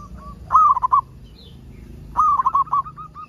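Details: Local zebra dove, a keen singer, cooing as a lure for other zebra doves. Two bright, broken coo phrases about one and a half seconds apart, the second running on into quieter repeated notes.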